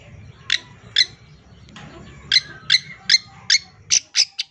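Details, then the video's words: Long-tailed shrike song used as a master recording for training songbirds: series of harsh, buzzy bursts repeated roughly every half second, ending in a faster run of sharp high notes, with low background rumble. "MASTERAN CENDET GACOR FULL ISIAN 100% BIKIN CENDET BAHAN CEPAT IKUTAN BUNYI"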